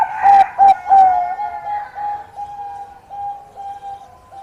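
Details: Bangkok-type zebra dove singing eagerly to draw a rival into answering: three loud, rich cooing notes in quick succession, then a long string of softer, even notes trailing away.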